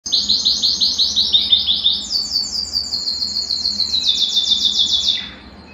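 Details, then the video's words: A Belgian canary sings fast, bright trilled tours of high repeated notes, jumping to a higher trill about two seconds in, song meant to warm up other canaries into singing; no other sounds stand out. "Canario Belga Cantando - Canto de Canário Belga"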